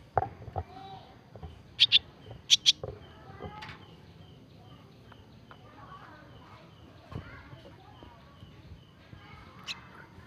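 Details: Young starlings, nestlings recently taken from the nest and hand-fed daily, give short, sharp, high squeaky begging notes in small bursts, among soft handling noises and faint murmuring.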